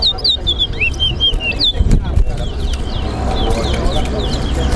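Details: Chestnut-bellied seed finch (towa towa) singing in a bird whistling competition at Better Hope bird ground: quick repeated whistled slurs and trills, high and sweet, in a steady run. Crowd chatter and low rumble underneath.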